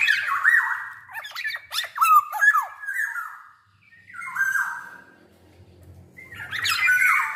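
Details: Black-naped oriole, big-bodied and in full song, played as a lure to get orioles singing: strained, squawking phrases mixed with sharp slurred notes, fading into quieter drawn-out notes before another loud burst; low hum in the background.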